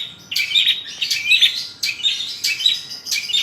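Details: Long-tailed shrike in lively song full of fill-in notes, loud bursts of high scratchy chirps and whistles repeating roughly every second, separated by short gaps.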